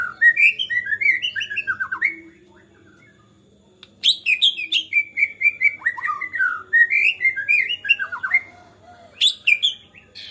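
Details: White-rumped shama singing excitedly to provoke rival shamas: a run of whistled descending phrases, a two-second silence, then a long burst of mixed whistles, trills and sharp high notes.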